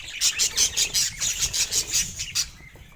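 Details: Pet budgerigar giving a quick run of bright, high chirps, about five per second, in regular bursts that fade out toward the end, with a faint flutter of wings.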